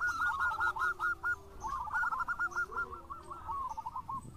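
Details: Local zebra dove singing actively for a lure recording: dense runs of quick rolling coo notes, with a rough, noisy background.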